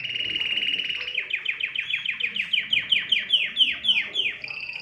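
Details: Canary song used to stimulate other birds: a smooth fast trill gives way to a string of crisp descending notes repeated roughly four times a second, ending on a short high phrase.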